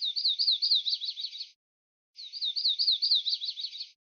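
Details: Warbler song in two quick high phrases with a short pause between them. Each phrase is a rapid chain of wavy whistled notes that turns scratchy and jumbled toward its end. No background sound.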